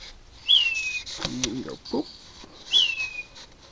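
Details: Unidentified bird heard at 4am in a mesquite tree at night: two high whistled notes, each rising sharply then sliding downward, about two seconds apart, with a man talking quietly between them.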